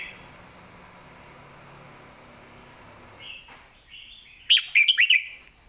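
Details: Caged red-whiskered bulbul with clear southern-style master song: after a steady high insect-like hum and soft chirps, a soft whistle leads into one loud burst of quick warbled notes near the end.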